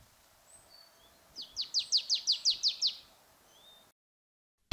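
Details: Marsh Tit winter song: a rapid, monotonous run of about eight identical high, sharp notes, roughly four per second, with faint background chirps.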